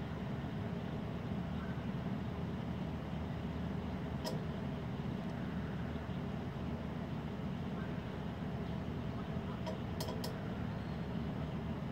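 Steady low engine rumble of passing traffic with a few brief clicks, and no animal voice.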